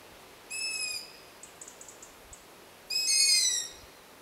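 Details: A young long-eared owl begging for food gives two high, drawn-out squeaky calls like a creaking gate, with a faint quick series of ticks between them, while its begging siblings are heard around the terrain.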